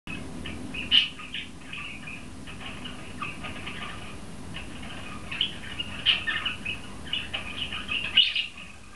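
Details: Male budgerigar in an aviary calling through the grill to the hens while greeting a friend, seen from a windowed passage. Scattered short squeaky chirps and chatter come in bursts, louder toward the end, over a soft background hiss.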